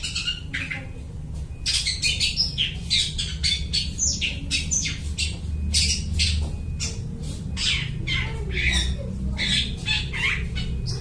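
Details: Mimicking song of a long-tailed shrike, copying other birds and used as a lure: rapid squawky, buzzy notes mixed with brief whistled phrases, continuing throughout over a steady low rumble.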